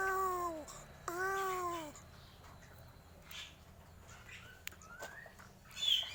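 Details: Strange crow sounds: two descending, mewing tonal calls close together at the start, then mostly quiet background with soft, scattered chirps and a faint rising whistle near the end.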